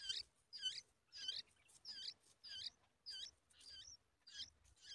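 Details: Yellow-tailed bulbul feeding nestlings a big spider; a steady series of high, harsh squeaky notes, each a double-banded chirp, repeated about every half second with short gaps between.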